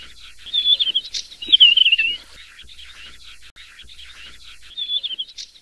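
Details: Desert wheatear (Oenanthe deserti) with two loud phrases near the start, a high note then a descending warbled trill, followed by a long quiet pause and one softer phrase at the end.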